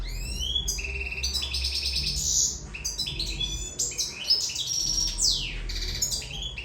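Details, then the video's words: Goldfinch, Sicilian, singing while in love: an unbroken, rapid twittering of high chirps, whistled slurs and buzzy trills, with a noticeable low rumble in the background. "Favoloso canto cardellino siciliano in amore"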